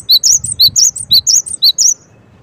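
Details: Cinereous tit chirping steadily: around ten sharp, high-pitched notes in two seconds, each a quick bright tweet, ending in near silence.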